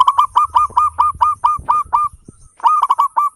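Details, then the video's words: Local zebra dove singing steadily, its big voice used as a lure to set other birds singing: a fast run of short, hooked cooing notes about five per second, a brief pause, then the rolling beat resumes. "Perkutut lokal gacor suara besar ketukan indah cocok buat pancingan perangsang bunyi"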